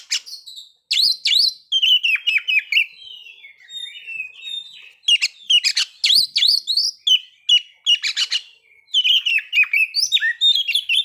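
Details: Oriental magpie-robin song played to make other magpie-robins aggressive and ready to breed: long runs of rapid chattering and fluty whistles, broken by a softer, drawn-out whistled phrase.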